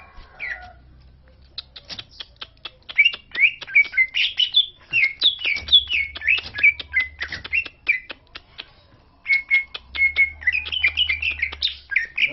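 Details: Lombok greater green leafbird singing to draw other leafbirds into song. A long run of dry clicks carries fast varied warbling and whistled slurs, a short pause, then a steady pure whistle and renewed chattering phrases. Intermittent low hum.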